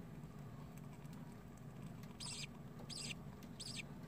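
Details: Baby budgerigar chicks: three short, high, slightly raspy peeps near the end, spaced under a second apart, over a steady low hum.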